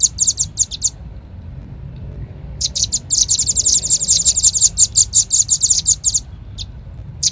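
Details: Velvet-fronted nuthatch (rambatan paruh merah) lure call: a short burst of quick high chips, nearly two seconds of silence, then a longer rapid run of sharp notes ending in a few spaced single chips.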